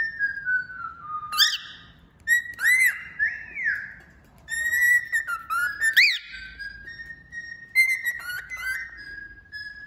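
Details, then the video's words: A male cockatiel sings at length in a small quiet room: a run of clear whistled phrases with swooping rising and falling notes and a few sharp upward chirps. "Calopsita Macho Cantando Muito"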